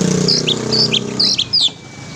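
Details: Oriental magpie-robin in energetic song, used to provoke a pet magpie-robin into singing: a fast series of sharp, high chipping notes in quick pairs over a steady low hum that fades after the notes stop.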